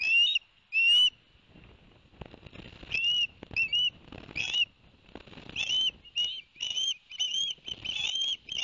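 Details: At the Barnegat Light osprey nest on 11 September 2021, with fish just delivered by the male: sharp rising whistles, a pause with soft rustles, then a steady series of short whistled chirps.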